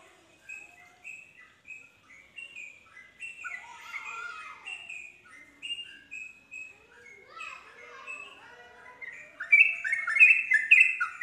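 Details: Yellow-vented bulbul song played to provoke other bulbuls into singing along: bubbly, chattering phrases of short descending notes near the upper-middle range, growing louder and denser toward the end.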